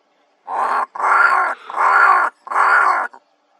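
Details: Two raves calling in Kgalagadi Transfrontier Park on 11 October 2021: three loud, harsh, nasal caws, each about half a second long and spaced roughly evenly, with no other sounds.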